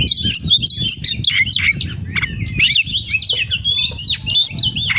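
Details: Oriental magpie-robin singing in the full-isian style, a rapid, varied stream of sharp whistles, rising and falling slurs and buzzy chirps packed closely together, over a low steady musical beat.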